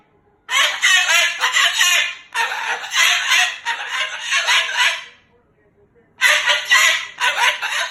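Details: Loud, angry pet Moluccan cockatoo cursing, with rough, harsh speech-like bursts in long runs, a silent gap, then two more loud bursts.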